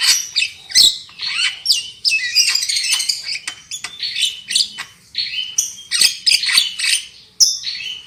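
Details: Javan myna song used as a lure to make birds sing loudly, a continuous jumble of harsh rasping notes, chattering trills and brief whistles running almost without pause.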